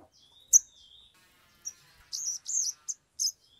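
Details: Sumatran leafbird (sogon) in agitated song, used as a lure to make birds sing: a sharp high note, a long thin whistle, then a quick run of high chirps and buzzy trills near the end.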